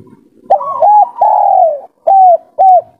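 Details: A local Spotted Dove calling to a female gives its three-note call: a soft, mellow, low drawn-out coo followed by two short even coos, in a quiet room.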